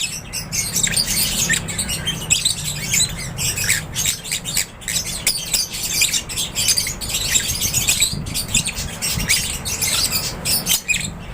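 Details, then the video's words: Many lovebirds calling together in an aviary, continuous rapid shrill chirps and clipped squawks overlapping throughout, with a constant low background drone. "LOVEBIRDS CHIRPING SOUNDS"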